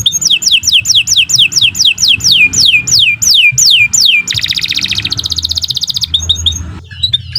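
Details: Canary (Kenari Nusantara) singing a long song meant as a tutor recording for other birds: a run of about a dozen clear descending whistles, followed by a rapid rattling trill and scattered sharp notes.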